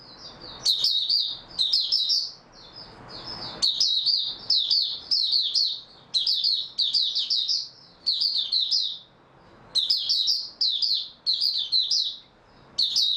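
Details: Oriental white-eye recorded 3 March 2022, singing steadily: many short bursts of high, twittering warble, roughly one each second, with occasional pauses between the series.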